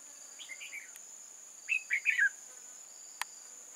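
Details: Trapping scene with a decoy red-whiskered bulbul, 8 October 2018: a soft warbled phrase, then a loud three-part slurred phrase dropping in pitch, and one sharp click, set against a steady insect buzz.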